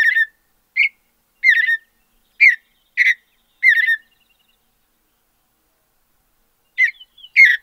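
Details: Six rapid warbled phrases from a Mountain bluebird of the western mountains, short chattering bursts in quick succession, then about three seconds of silence before two more phrases.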